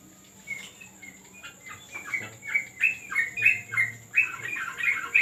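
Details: Yellow-vented bulbul in a terrace training session, its short, bright chirps coming faster and louder, then ending in a busy chattering phrase, with faint low voices behind.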